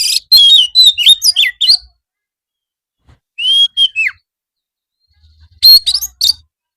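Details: White-rumped shama afternoon training song: a run of fast chirping notes, then a long clear whistle dropping steeply at its end, silence, and a short final burst of bright whistles.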